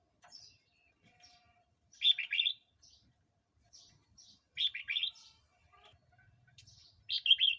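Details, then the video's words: Red-whiskered bulbul song for enticing wild birds or training young birds: cheerful bursts of three or four rapid bright notes roughly every two and a half seconds, interspersed with thin high squeaks and soft chatter. "เสียงนกกรงหัวจุกร้อง 02"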